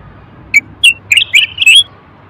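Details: A male Moroccan common bulbul sings, played to stimulate males to sing and prepare females for mating: five short, bright whistled notes in under two seconds, the last few slurred together into a warbling phrase.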